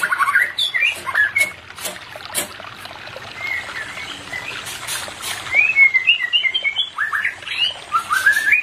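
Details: White-rumped shama singing for a pair not in breeding condition: varied chirps and whistles early, then a livelier series of short repeated whistled notes and upslurs, with clicks and background noise.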